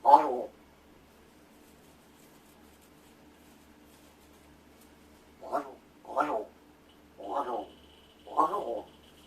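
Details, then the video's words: Large-billed crow, a rescued bird living indoors, practising sounds while its owner fakes sleep: one harsh caw, a long pause, then four short throaty calls in quick succession, with a faint steady tone in the room. "お喋りの練習でおはよう、ご飯、謎の言葉 発声練習と鳴き声"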